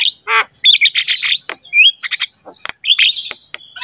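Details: Black-winged myna in energetic song for training pet mynas: a hoarse rasp, then quick clusters of harsh chirps, a bright rising whistle and noisy squawks, ending in thin sharp notes.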